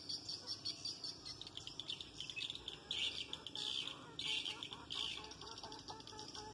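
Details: Swiftlet attraction call: bursts of high, rapid twittering chirps in clusters roughly every second, some louder chattering groups midway, over steady faint hiss.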